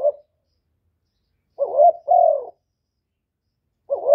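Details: A spotted dove calls to provoke rival birds in a clean recording: one full two-part coo, a brief rising note then a longer falling one, between the tails of neighbouring phrases.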